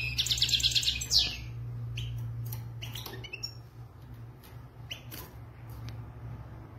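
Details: Authentic Moroccan European goldfinch (maknin) singing: a bright, dense burst of rapid twittering and trills in the opening second, then sparse, faint chirps and tinkling notes over a low steady hum.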